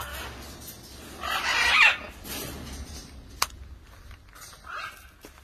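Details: A green-winged macaw gives one loud, harsh, raspy squawk lasting under a second, followed by a sharp click and a fainter, shorter squawk in a quiet room.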